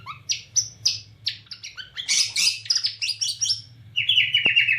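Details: Borneo white-rumped shama singing gacor, nembak cililin style: fast jumbled high chips and buzzy notes in dense bursts, closing with a run of rapid repeated whistled notes, low hum throughout.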